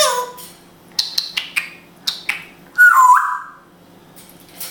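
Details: Hebrew-speaking pet grey parrot in Israel: a run of sharp clicks and short chirps, then a loud slurred whistle dipping downward, in a quiet indoor room.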